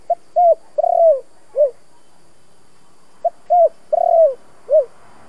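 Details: Spotted dove coo in the thổ style, played to stir decoy doves into cooing and fighting. Two identical four-note phrases about three seconds apart: a soft pip, a hooked coo, a long rolling coo, and a closing dip.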